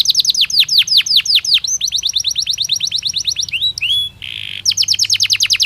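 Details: Belgian canary singing naturally for daily training stimulus: rows of quick descending whistled notes, a rapid trill, a few rising slurs and a short buzzy rattle, then more repeated chirps.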